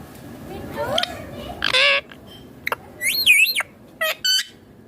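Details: Green ringneck parrot making natural sounds and chattering while eating food, with scattered harsh squawks, short chirps and one loud rising-and-falling whistled call, separated by quiet pauses.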